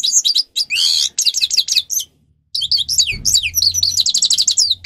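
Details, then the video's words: Grey-crowned goldfinch (Carduelis caniceps), a captive singer kept for training birds, gives fast twittering song of high buzzy trills, rapid chirps and a harsh nasal rattle, with a short pause midway and faint low hum behind. "(Carduelis caniceps) Goldfinch song Best for training"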